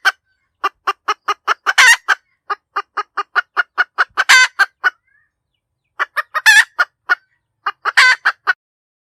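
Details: A hen chicken cackles almost without pause: long strings of short clucks punctuated by four drawn-out, harsh squawks. There is a single brief silence midway and no other sounds.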